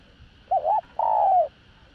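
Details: Spotted dove singing to lure other doves with calling, urging and cooing phrases in the đồng rặc voice style. One phrase: a quick wavering two-part note, then a drawn-out coo that slides gently downward. A steady faint hum sits in the background.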